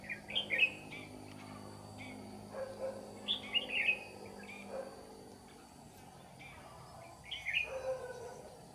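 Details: Red-whiskered bulbul decoy singing in the 'ché' style during trapping, chasing off wild birds: three short bursts of bright, warbled whistled notes about three seconds apart, with a steady low hum underneath.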